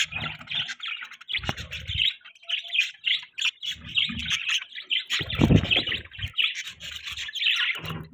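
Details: Morning chatter of pet budgerigars: continuous overlapping chirps, warbles and squeaky notes from several birds, with intermittent low thumps and rumbles beneath.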